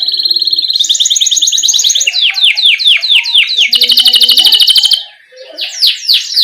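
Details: Canary delivering a rolling tutor song for young chattering canaries; a high trill shifts into swept downslurs, then a dense rapid roll, a short pause, and more swept notes.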